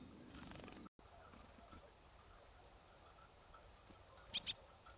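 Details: Double call of a marsh tit (Poecile palustris) recorded in Kawęczyn, Nowy Korczyn area, Poland: two brief, piercing high notes close together near the end, preceded by a short dropout and low rustling.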